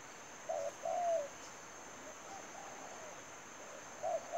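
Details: Spotted dove serving as a trapping decoy giving one short coo phrase of a brief note and a longer falling coo, then quiet, then the start of another phrase, with a steady high whine.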